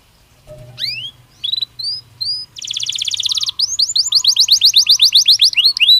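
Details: Belgian canary song beginning with spaced rising whistles, then a buzzy rolling trill, followed by a brisk sequence of repeated sharp chirps about four per second.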